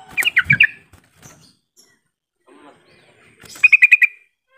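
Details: Yellow-vented bulbul call used to stimulate silent bulbuls into answering: a bubbly, chattering burst of quick notes, then a short pause and a second tighter run of rapid repeated notes.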